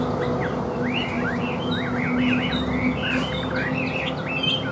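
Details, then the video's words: Caged Chinese hwamei, said to sing well with an even voice, delivering a continuous run of rich, looping whistled phrases that rise and fall quickly, with a constant low background hum. "HÓT TỐT RA GIỌNG ĐỀU"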